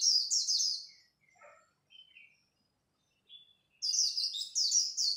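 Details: Dawn song duel of a white-eye: fast, shrill warbling runs open and close the recording, separated by a few scattered soft chips and short whistles.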